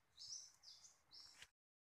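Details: Newly trapped bulbul, kept as a decoy for catching others and praised for its voice, gives three high whistled phrases, then a short click before the sound cuts off.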